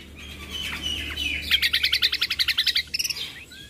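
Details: Bulbul combo training song, a mixed recording played to make listening birds excited and noisy: buzzy warbles near the start, then a fast run of sharp repeated chirps, about three to four a second.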